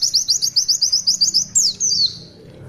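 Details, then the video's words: Oriental white-eye in lively full song, the long 'tulitwitwit' style used as a master recording: about ten rapid, high, chirpy notes repeated evenly over one and a half seconds, then a sharp downward-sliding whistle fading out; faint low background hum. "Tulitwitwit panjang pleci Gacor Masteran"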